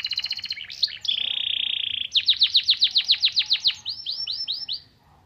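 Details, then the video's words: Canary singing pleci (white-eye) material to excite other birds: a rapid rattle and twisting notes, then a loud flat buzzing trill. Then come a long run of falling whistles and a slower series of arched, fading notes. "Burung kenari bocor materi pleci untuk menaikan emosi"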